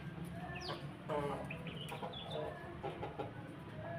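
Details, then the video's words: Pelung rooster, a red-combed Pelung × Bangkok cross, crowing in broken, wavering phrases with a few clucking notes, over a steady low rumble of background noise. "ayam pelung berkokok"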